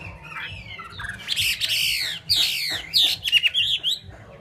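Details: Loud, rich slurred whistles from a Chinese hwamei, delivered in strong swooping phrases with brief pauses between them, some notes sweeping down and others rising sharply.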